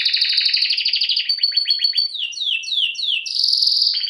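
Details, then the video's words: Canary training song from Serinus canaria: a rapid rolling trill, a string of quick descending sweeps, then a loud sustained buzzy tour, clear and high with no background noise. "Bird song | Canary singing| training bird | best canary | Serinus canaria"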